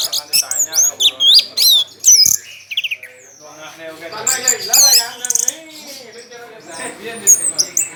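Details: Orange-headed thrush kept for singing contests, singing at high volume with tail spread: quick, sharply rising and falling whistles at first, then lower warbled, chattering phrases.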